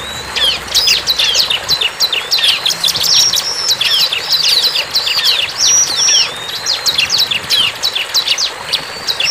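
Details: Bar-winged prinia in the wild pouring out dense, fast chattering song of sharp high notes and short whistled slurs, almost continuous, over a light background hiss.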